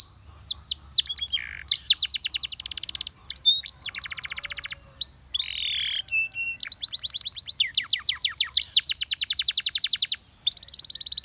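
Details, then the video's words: Spanish Timbrado canary in full song, alternating fast metallic rolls of evenly repeated notes with short buzzy bursts and swooping whistled notes, high and continuous for the whole stretch. "The Most Powerfull Spanish Timbrado Canary Singing"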